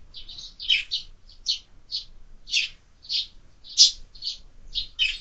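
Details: At a bird feeder fixed to a window, sparrows give clear, separate chirps, about two per second in a loose irregular rhythm, with a quiet background.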